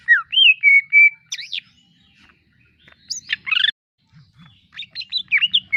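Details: Greater green leafbird in full, vigorous song, offered as a masteran tutor recording: clear whistled notes near the start, then sweeping upslurs, a quick buzzy trill cluster after a pause, and a busy run of varied chirps and whistles to finish.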